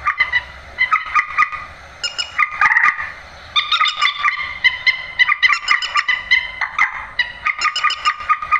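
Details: Grey-headed swamphen calling, a net-luring recording for night bird catching: grating, gobbling, nasal notes in stuttering series, one louder rasping stretch early on, then further bursts with short breaks.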